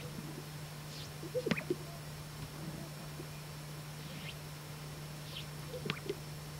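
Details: Greater sage-grouse males strutting on a lek, using inflated air sacs to make booming and popping sounds for watching females; two faint display sequences of soft pops about four seconds apart over a constant low hum.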